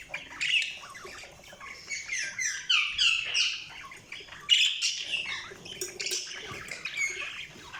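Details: Budgerigars chirping in a lively warble: fast strings of descending chirrups and squeaky notes, about three per second, broken by brief quiet gaps.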